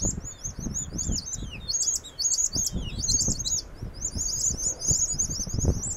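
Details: New Holland honeyeaters (Phylidonyris novaehollandiae) in Kamay Botany Bay National Park give busy, high, sharp chips and squeaky chattering notes, several birds overlapping; low thumps and rustling run underneath.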